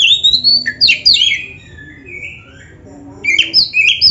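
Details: Varied song of an oriental magpie-robin used to train caged birds: bright sweeping whistles and slurred notes in quick succession, a quieter stretch midway, then renewed rising whistled phrases over low steady background noise.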